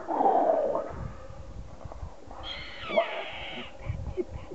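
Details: At Hato Cedral ranch, Venezuela, in January 2012, a sunbittern in an aggressive posture gives a rough, breathy hiss, first low and throaty, then sharper and higher for about a second, with faint rustling.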